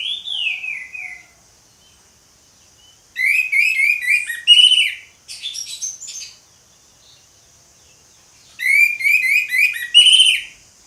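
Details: Orange-headed thrush singing 'ngeplong' style in bursts: a descending slurred phrase, then two loud runs of fast repeated whistled notes mixed with harsh chattering, separated by short silences.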